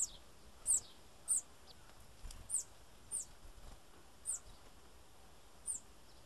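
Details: Bananaquit giving high, thin, sharp call notes at irregular gaps of about half a second to a second, with faint low rumbling noise in the background.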